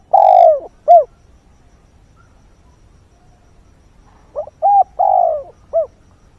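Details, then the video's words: Decoy spotted dove cooing at dawn to lure wild birds: low, hollow coo notes in two bursts, a long note followed by a shorter clipped one, then a four-note series after a pause; quiet background. "Chim cu mồi // Tinh sương gáy gọi, kích thúc chim hoang dã"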